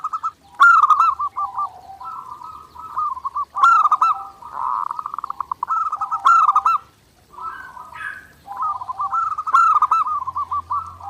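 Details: Zebra dove singing nonstop on a clear training master: repeated loud rolling coo phrases, each starting with a sharp attack and breaking into stuttering pulses, roughly every three seconds, with a brief higher note near the end.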